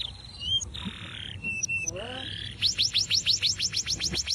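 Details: Uncaged Atlantic canary singing as a master for training birds: whistled slurs and a sustained buzz, then a clear series of rising-falling notes repeated about three times a second.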